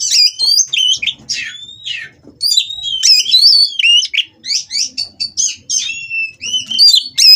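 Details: Mating Oriental magpie-robin kept at a breeding farm, song intended to make rivals sing: loud, varied whistled phrases with sharp sweeps and trills, delivered in rapid bursts throughout.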